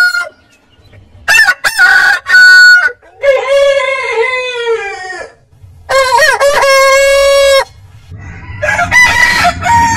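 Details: Several rooster crows in turn, one short and stuttering, others longer with a downward-curving tail, and gaps of quiet between them.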